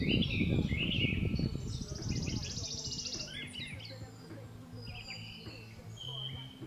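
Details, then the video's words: A house sparrow at Aguas Calientes, San Juan a Polques, Potosí, Bolivia, in April 2023, gives short bright chirps and a brief buzzy rattle, repeated irregularly, over a heavy low rumble of wind. "GORRIÓN COMÚN"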